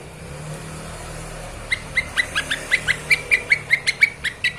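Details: Lesser green leafbird training master: after a quiet opening, an accelerating run of crisp, evenly repeated chips about three per second, each a sharp downward flick.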